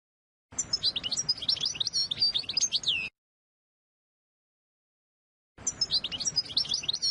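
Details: European goldfinch singing to teach young birds and prepare females for breeding: a rapid tinkling twitter of about two and a half seconds, silence, then the song starts again.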